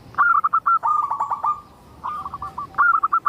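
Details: Local zebra dove singing, used to coax other zebra doves into song; lively runs of quick, clipped cooing notes in three phrases, some notes rolled together into a rapid trill.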